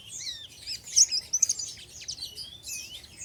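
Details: Untrained oriental white-eye in ngeriwik style, delivering loud, high-pitched chattering twitters and squeaky slurred notes, with the loudest bursts near the first and second seconds.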